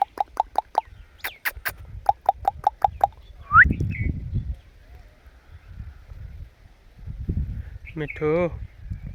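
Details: A pet rose-ringed (Indian ringneck) parakeet gives a fast run of sharp clicking notes, then a rising whistle and a harsh, buzzy, speech-like warble, with low room noise throughout; the bird is said to talk, saying "Mithu".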